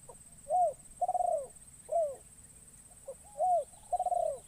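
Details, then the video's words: Spotted dove decoy luring wild doves in a forest: a rhythmic phrase of mellow coos, the second note drawn out with a pulsing tremble, followed by a repeat of the pattern, steady high hiss in the background. "Burung Terkukur Pikat"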